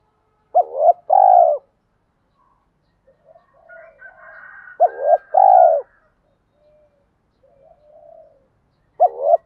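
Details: Lure call of spotted doves, female and male, played to stir caged males: three two-part coo phrases, each a short hooked note then a longer throaty coo, separated by quieter murmuring coos.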